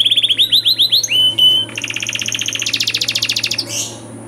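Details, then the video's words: Canary training song rich in ornamented phrases: a row of repeated upslurred whistles, a sustained pure whistle, then fast buzzy rattling trills and a high chattering burst near the end. "DURASI PANJANG BANGET LAGU DAN CENGKOK MEWAH, MASTERAN TOP UNTUK KENARI"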